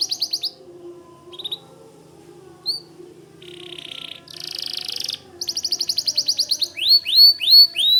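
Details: White canary in spirited song, used to tutor White-rumped Shamas. Scattered short notes and buzzy rolls build into a rapid pulse train, closing with loud upslurred whistles.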